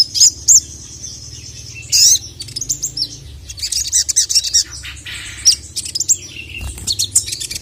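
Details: Sogon, or ruby-cheeked sunbird, in an agitated mood while calling a male. Scattered, sharp high squeaks and brief twitters, separated by quieter stretches with faint chirping.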